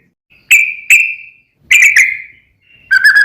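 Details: Lure recording of a sooty-headed bulbul (trucuk) meant to prompt another bird to sing back: a few loud, clear whistled notes, some paired, separated by short silent gaps, ending in a buzzier note.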